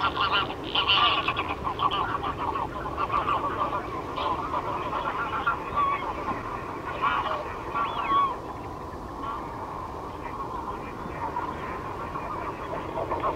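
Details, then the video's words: Greylag geese (Anser anser) honk in a loud, nasal, overlapping chorus, several birds calling at once with harsh cackling notes throughout, over a steady background rumble. "Vogelstimmen: Die Graugans - Greyleg goose - Anser anser"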